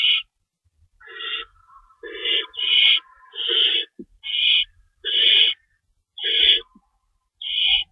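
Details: Predawn feeding at an owl nest on March 25 2012, an adult staying in to shred prey for the young; a run of about ten overlapping rasping screeches, some paired, with a low buzzy undertone.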